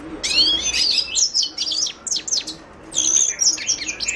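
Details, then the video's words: Song of a Himalayan goldfinch, Carduelis caniceps: rapid twittering phrases of high slurred whistles and buzzy trills, a short quiet gap near the middle, then another tumbling burst. "تغريد حسون الهيمالايا chant de chardonneret hymalaya"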